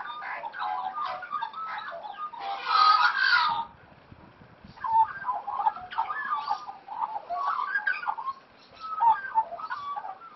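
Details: Australian magpies playing, raised in the wild by their parents; chattering warbles and squeaky notes, a loud hissing rasp early, then further bursts of gurgling calls after a short silence.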